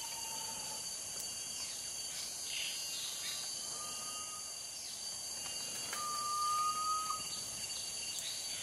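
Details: Garnet pitta in Sungai Relau, Taman Negara, Pahang, August–September 2022, giving long, plain whistles that swell slightly upward, about a second each, over steady high insect drone and faint chirps from other birds.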